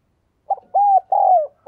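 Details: Decoy spotted dove luring wild doves, one low cooing phrase: short note, a level arched coo, a longer descending coo, then the start of another note.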